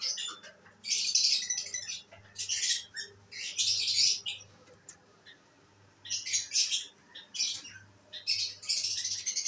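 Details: Pet lovebirds, including albino red-eyed birds, kept at home and active: bursts of harsh, high-pitched chattering and squawks coming in clusters every couple of seconds, with a faint low hum beneath.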